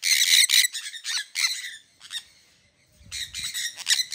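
Sun conures give harsh, grating screeches in rapid bursts, with a short pause midway.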